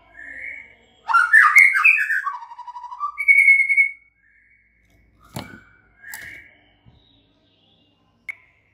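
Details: White-rumped shama singing a rich burst of varied whistled and warbling phrases, then a long steady high whistle, followed by a few short separate notes and a sharp click after a pause in a quiet setting.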